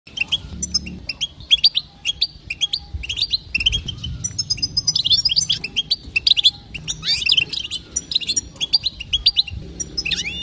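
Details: Female European goldfinch calling to stir males into singing: rapid, twittering chirps with bright upslurred and downslurred notes, dense and continuous for ten seconds, with faint low rumble beneath.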